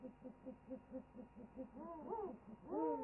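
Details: Owl chorus on a wildlife webcam: a steady run of short, low, evenly spaced pulses, then louder arching hoots that rise and fall, overlapping as several voices join in near the end.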